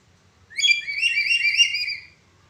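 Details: Black-capped lory giving its 'broken voice' call, kept as a training recording for other birds: one warbling, harmonic whistled phrase of about one and a half seconds, wavering up and down, with a quiet low hum behind.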